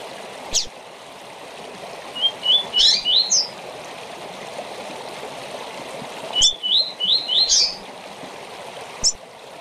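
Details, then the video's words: Short tournament-training song of a rusty-collared seedeater: a run of three or four rising whistled notes climbing into a sharp high ending, given twice, with isolated clicks and a steady rushing background. "Coleiro ou Papa-capim com Canto Curto Para TORNEIO"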